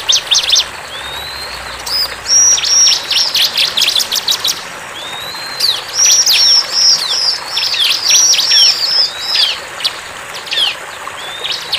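Bar-winged Prinia singing a lively, high-pitched run of sharp chirps and rising whistled notes in quick bursts, with a faint background hiss.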